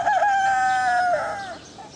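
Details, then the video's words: Rooster crowing, from a set of roosters of different breeds presented as a morning alarm: one loud crow held on a steady, even pitch for about a second, then a lower, fading tail. "Rooster Crowing"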